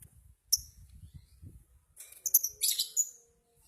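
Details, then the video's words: Lovebird in a duel of subdistrict singing-contest champions: an isolated sharp high chirp, then a cluster of bright, squeaky twittering notes, with low background rumbling throughout. "Duel Lovebrid Gacor Juara Tingkat Kecamatan"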